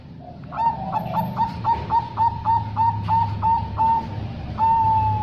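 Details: Female zebra dove calling, a sound said to draw a quick response from males: a rapid series of short high clipped notes, about three per second, ending in a longer drawn note, over a low steady hum.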